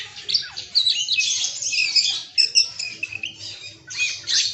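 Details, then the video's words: Oriental magpie-robin performing its 'isian' mimicry medley among other calling birds: loud, bright bursts of fast twittering, whistles and harsh chatters, rising and falling in intensity. "Suara Burung KACER bongkar ISIAN"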